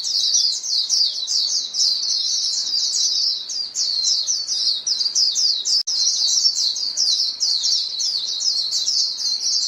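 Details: A flock of white-eyes keeps up lively, high-pitched chattering, with rapid overlapping chirps running nearly nonstop apart from one very brief dropout.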